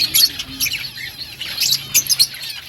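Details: Several budgerigars feeding on green food produce short, sharp, high-pitched chirps and twittering notes, broken by brief quieter gaps between bursts.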